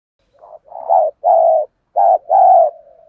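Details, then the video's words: A decoy spotted dove cooing to draw wild males into calling back, 'đồng pha thổ' voice: a faint lead-in note, then deep rounded coos in short-long pairs, the last note cut off. "cu gáy mồi thúc gù căng lửa giọng hạp bổi"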